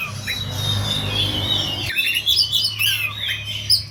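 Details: Oriental magpie-robin fighting song played as a lure: a steady thin high whistle over low rumbling for about two seconds, then a burst of quick, varied chirps and twittering whistles.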